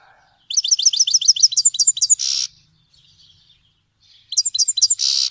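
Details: High tinkling notes of a Grey-headed goldfinch (Carduelis caniceps) rattle off rapidly and end in a harsh buzz, the phrase repeated after a short pause.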